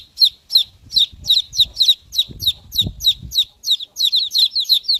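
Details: Rapid, high, downslurred peeps from chicken chicks, slightly irregular and overlapping toward the end, over low muffled thumps and rustling.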